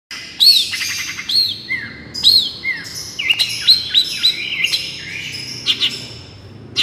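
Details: Long-tailed shrike song, a therapy recording used as a lure in the miyik style: sharp high chirps and down-slurred whistled notes, about one each second, with quick buzzy trills in between.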